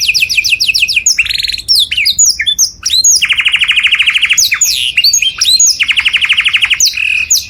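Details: Canary singing loudly as a training model for other birds, alternating rapid whistled sweeps with buzzy rolling trills and sharp chips, continuous and varied.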